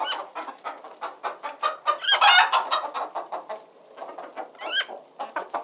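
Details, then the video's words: Chickens cluck in quick succession, with a loud, harsh burst in the middle and a couple of high rising chirps near the end. "Relaxing Background Sounds of Chickens"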